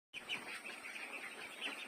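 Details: A group of 25-day-old domestic ducklings peeping together, a dense, continuous chorus of shrill, high chirps that overlap with no pause.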